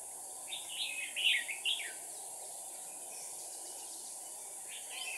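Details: Red-whiskered bulbul used as a decoy, singing a fighting song to provoke rivals: one short warbled phrase of rising and falling liquid notes lasting about a second, over a steady background hiss.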